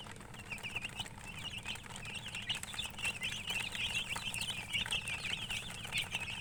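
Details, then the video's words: Baby chickens peeping, a flock of many chicks giving dense, overlapping high chirps that start quietly and grow steadier after the first two seconds, with a low background rumble throughout. "Baby "Chicks Chirping" Sound"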